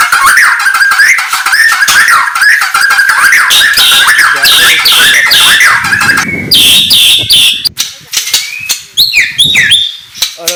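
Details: Morning singing by a white-rumped shama (murai batu): a fast chattering sequence of repeated notes, shifting midway to scattered sharp, high whistles and clicks.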